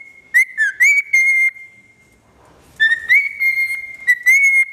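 A cockatiel gives loud, steady whistled notes with bright, ringing overtones, broken into short bursts.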